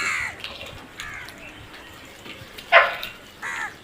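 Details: Crows calling: a few harsh, nasal caws. The loudest comes near the end, with fainter calls and light background noise in between.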